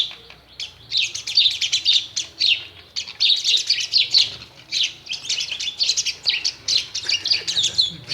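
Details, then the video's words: Myna chirping at a mirror at home in India, delivering almost continuous rasping, squeaky chatter in pulsing bursts roughly every half second, loud and close throughout. "Indian Bird Maina chirping and waching mirror"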